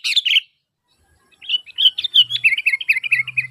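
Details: Sooty-headed bulbul calling actively to prompt other bulbuls to answer: one loud bubbly phrase, then a fast, gently descending series of chirps over a faint low hum.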